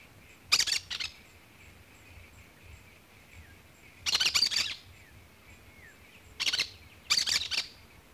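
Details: Cactus parakeet screeching in short harsh bursts, four clusters of grating, buzzy notes spaced irregularly across the recording, with a constant high-pitched background hum between them.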